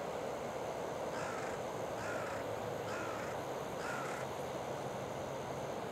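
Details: Carrion crows calling in the wild by the Oita River feeding ground on an October morning amid a territorial chase; four evenly spaced harsh caws about one second apart, against a constant rumbling background hum.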